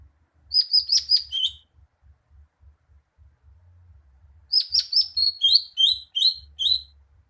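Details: Greater green leafbird singing two bursts of rapid, sharp high chirps and descending whistled notes separated by a pause of about three seconds, with regular soft low tapping in the background.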